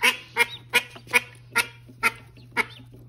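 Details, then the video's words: Call duck mother with her new young, calling a steady run of seven strong, nasal quacks spaced about half a second apart, each short and harsh, against a low background hum. "Mama call duck and her new babies"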